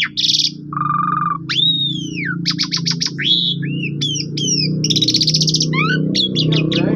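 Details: Asian pied starling singing to stir a quiet bird into song: varied whistles, sweeping slurs, rattles and chattering notes over steady low background hum.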